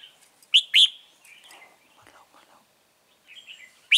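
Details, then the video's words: Lure red-whiskered bulbul in a trap gives two sharp, ringing notes followed by soft chatter, with faint low whispering and scattered quieter twitters before another loud note at the end. "Bẫy chào mào Bổi HB lăng xăng cực gắt"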